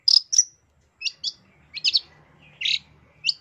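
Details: Long-tailed shrike (cendet) in a 2023 masteran with full isian: high, thin whistled notes, then short paired chirps and a buzzy rasp, about seven bursts in three and a half seconds over faint low hum.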